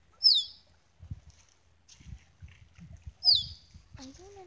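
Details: Displaying male Musk Duck at Lysterfield Park, Victoria, Australia, calling to females: two shrill downward-sliding whistles about three seconds apart, with dull low thuds in between.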